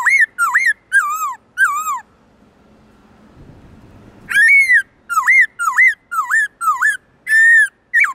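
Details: A black-throated laughingthrush gives its long, loud, clear forest-style song, used to train other birds: bursts of wavering, dipping whistles, a pause of about two seconds, then a longer run of looping whistled notes.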